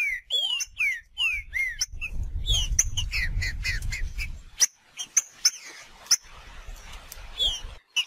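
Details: Green-winged saltator in nature opens with a quick row of clear, falling whistles. A low rumbling noise and scattered sharp clicks then cover the rest, with one more slurred note near the end.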